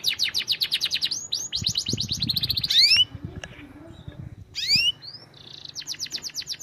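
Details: Canary song for training other canaries: high rapid trills and downslurred whistles, a gap with quieter soft notes and low knocks, then rising swept whistles and another trill.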